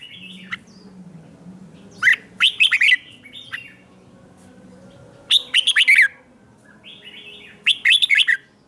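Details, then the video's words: Caged red-whiskered bulbul singing in the morning during song training: three bright phrases of quick liquid whistled notes, each a cluster of rapid rising and falling syllables, separated by pauses of about two to three seconds. "Luyện chào mào hót sáng"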